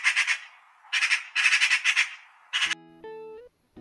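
A Eurasian magpie gives four harsh, rattling bursts of chatter, each under half a second, followed by a few plucked guitar notes.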